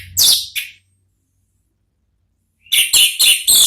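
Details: Orange-headed thrush in ngeplong style, meant to provoke an answer from another thrush: two short, sharp high notes, a two-second pause, then four loud, evenly spaced shrill bursts.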